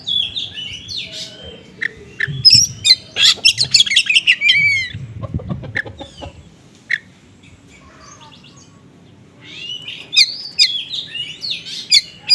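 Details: Oriental magpie-robin in 'konslet' style mixing small-bird mimicry, used to lure other magpie-robins; scattered chirps build into a dense twittering burst, some low thumping underneath, a lull, then renewed whistled phrases.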